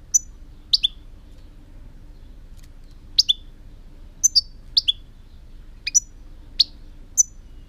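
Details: European goldfinch giving short, sharp, high chirps, mostly in quick pairs, spaced irregularly about once a second or less, with a faint steady hum in the background.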